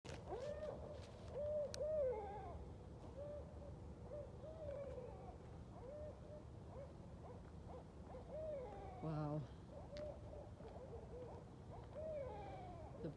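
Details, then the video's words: Group of at least four to eight wild Barred Owls caterwauling at night during a night-time walk, a long chorus of overlapping hooting, arched calls repeated again and again over thirteen seconds, several birds answering one another. "Amazing Barred Owl Sounds & Calls"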